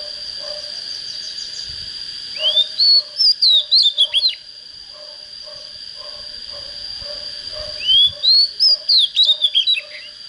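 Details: Raw, unschooled Oriental magpie-robin starting to come into condition, singing two separate phrases. Each opens with an upslurred whistle and runs into rapid, looping whistled notes, with a quiet gap of several seconds between them.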